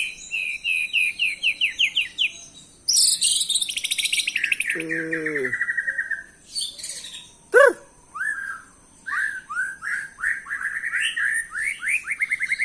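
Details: White-rumped shama song used as a lure to provoke replies: varied high whistled and chattering phrases, rapid repeated notes, a low harmonic churring section, a sharp down-swept note, then rising repeated whistles.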